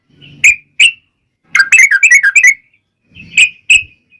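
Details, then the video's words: Yellow-vented bulbul calling to make other bulbuls answer: two sharp chirps, a quick bubbly warble, then two more sharp chirps. "trucukan gacor TARUNG ROPEL PANJANG pancingan trucukan agar bunyi"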